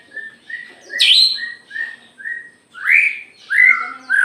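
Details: Aceh white-rumped shama singing with tail fanned. A run of short, evenly spaced mid-pitched whistled notes is broken by one high sweeping note, then followed by three richer, rising and falling whistles.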